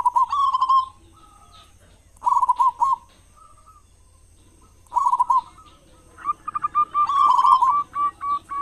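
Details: Local zebra dove with a loud voice, used as a morning and evening lure for other doves; short rolling coo phrases with pauses, ending in a longer run of quick repeated coo notes.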